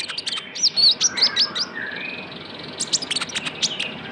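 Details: Young Javan white-eye used as lure: fast series of sharp, high, curving whistled chirps, several per second, followed by softer ticking notes and a brief lower warble.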